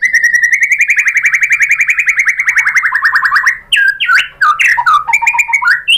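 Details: Lure song from a white-rumped shama to make other shamas sing: a long, very rapid trill of rising repeated notes lasting over three seconds, then varied loud whistled phrases jumping up and down in pitch.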